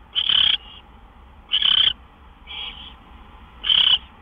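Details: Owl nest at night on March 26, 2013, with gophers being delivered; three loud grating screeches and one quieter hiss, spaced just over a second apart.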